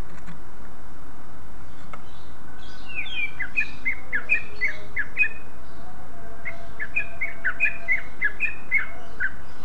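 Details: Greater green leafbird (cucak ijo) song used to lure other leafbirds into singing: two bursts of quick, varied whistles and chattering notes, each about two seconds long, over a steady low rumble.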